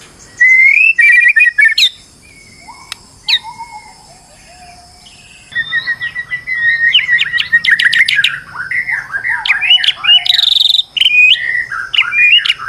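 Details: Agitated white-rumped shama pouring out song as a lure to make other shamas sing: choppy bursts of whistles and chips, a few low drawn-out whistles, then an unbroken, fast, varied stream of warbled and swooping notes.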